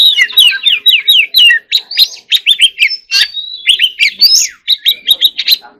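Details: Oriental magpie-robin in rapid warbling 'hót líu' song, also described as fighting song: dense run of bright whistled notes, sharp downslurs and quick trills, phrases packed with barely a pause, with a faint steady low hum beneath.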